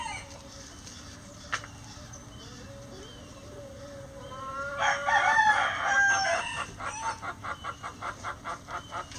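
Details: Pre-dawn roosters as the flock exits the coop: a faint drawn-out rising tone, then a louder harsh crow around the middle, followed by a rapid series of evenly pulsed clucks.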